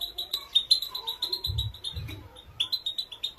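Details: High, sharp twittering of a female European goldfinch used as training song, quick chirps in a continuous stream, with a few low dull thumps partway through.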